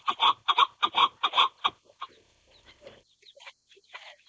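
A chukar gives a fast run of six or seven harsh, clucking chuck notes, then trails off into softer scattered clucks.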